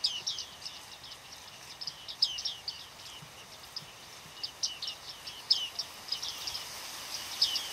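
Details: Bearded reedling flock calling in autumn, Shirvan National Park, Azerbaijan, Flamingo Lake, November 8, 2013; continuous high chattering of overlapping short pinging and twanging notes, in clustered bursts with brief gaps.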